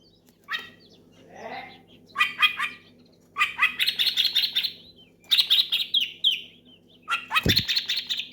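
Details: Oriental magpie-robin loudly calling a rival and prompting others to sing; harsh rattling bursts and long buzzy chattering phrases with whistled sweeps, repeated with short gaps, one low thump near the end.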